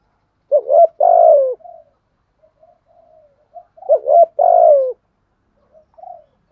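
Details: Spotted dove calling coos to stimulate wild doves while being trained as a decoy bird. Two phrases about three seconds apart, each a quick wavering double note and then a long, mellow, slightly falling coo, with soft muttered notes in between.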